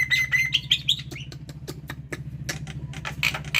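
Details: Caged black-winged starling singing energetically in the morning: short whistled notes and sharp clicks in quick succession, over a steady low hum.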